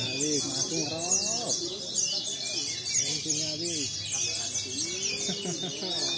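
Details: White-eyes at a mixed singing contest, many birds singing at once in a dense, high, twittering chorus, with a man's speech and lower tonal sounds underneath throughout.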